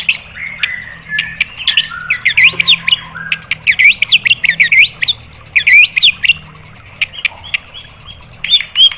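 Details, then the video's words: White-rumped shama singing to provoke other birds into song: loud rapid bursts of looping, rising and falling whistles and sharp chips in quick clusters, separated by short pauses. "MASTERAN MURAI BATU memancing EMOSI JADI NYAUT"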